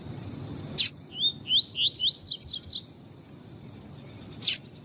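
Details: Double-collared seedeater tutor song of the tui tui style, used with a female's call to stimulate and train males: a brisk phrase of about eight upslurred whistled notes rising step by step, framed by two abrupt harsh bursts.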